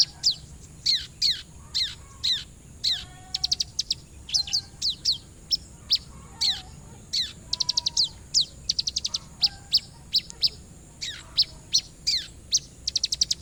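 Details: Orange-headed thrush singing for use as a lure: varied high phrases mixing steep downslurred whistles, rapid trilled bursts and scattered chips, delivered almost without pause; low steady hum underneath.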